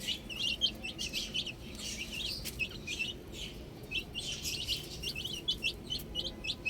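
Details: A group of young chicks at play with a ball chirps busily, making many brief, high, sharp peeps in irregular bursts with some soft scuffling between them.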